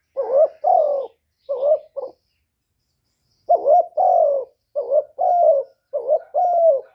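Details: Lure call of a spotted dove for drawing in wild doves, low throaty coos grouped in phrases of short and drawn-out notes, with a silent gap of over a second between two bursts.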